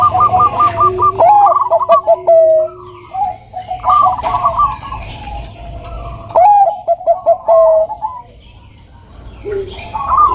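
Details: Bangkok-type zebra dove, a female calling a male; several phrases of quick stuttering notes, each closing on a drawn-out lower coo, spaced by a few seconds of near quiet.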